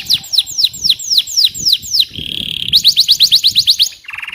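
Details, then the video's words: A singing canary gives a rapid series of high, downslurred whistles, about four a second, then a buzzy trill, quicker whistles and a lower rolling trill. "KENARI GACOR | CANARY SINGING"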